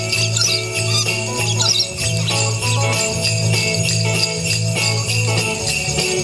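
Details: Festive music with bright, steady jingle bells shaking throughout over a low, pulsing bass line, and no animal voice is heard.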